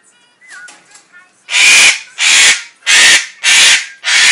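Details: A young pet pair of Eclectus parrots, set off by whistling in a TV song, give five loud, harsh, broadband screams about every 0.6 seconds after a brief whistled note. They scream at every whistle they hear.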